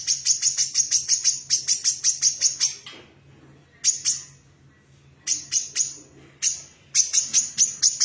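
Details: Series of shrill, high, repeated chips from an actively singing female brown-throated sunbird, delivered in quick strings of several notes separated by brief silences.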